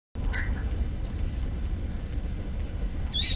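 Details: Hummingbird calling in Indonesia: a few thin, very high, sharp chips, one near the start and a quick run of three or four about a second later, then a brief high buzzy note at the end, over a low steady rumble.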